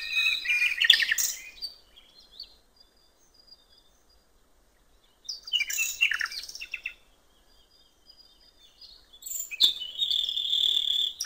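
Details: Common nightingale singing by a river in open countryside: three bursts of rich, varied song, mixing rapid chattering trills, sweet whistled phrases and sharp high notes, separated by pauses of several seconds of near silence.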